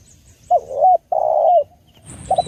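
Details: Female spotted dove call, a clear training recording meant for luring: two low, hollow, steady coos, the second longer, separated by a short gap, then a brief softer coo; a faint thin high tone sounds near the end.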